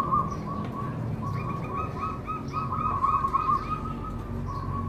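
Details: Zebra dove song used to encourage other doves to sing: continuous soft, rapid cooing notes, overlapping and repeated throughout, over a noisy low background rumble.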